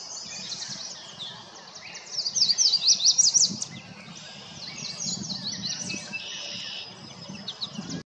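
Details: A Yellow Warbler singing at Fort Erie on May 4, 2020: a bright, rapid burst of sweet, high whistled notes, with other high chirps before and after over a low background rumble.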